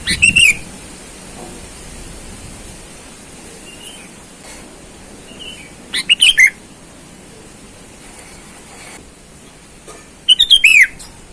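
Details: Sooty-headed bulbul lure call, a bird calling rivals in the wild: three energetic phrases of quick chirping notes sliding into a downward whistle, spaced roughly every five seconds, with soft faint notes and constant background hiss between.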